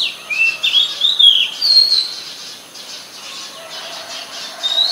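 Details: In Ubon Ratchathani, Thailand, on 14 October 2021, an Oriental magpie-robin sings sweet, varied whistles in a burst over the first two seconds, then a quieter pause before one more rising whistle at the end. Recorded on a Nikon P1000.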